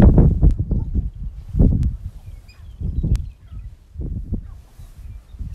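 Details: Male sharp-tailed grouse compete on a lek to be the dominant male, giving low, hollow cooing bursts roughly every second or two, with a few sharp clicks and a soft outdoor background.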